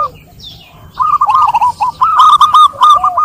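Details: Zebra dove song: a long run of quick, rhythmic, bubbly coo notes repeated several times a second, with a soft sliding whistle at the start.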